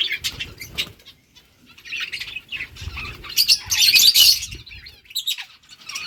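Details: A flock of budgerigars chirping: rapid overlapping high twitters and warbles in bursts, swelling into a loud chattering cluster near the end.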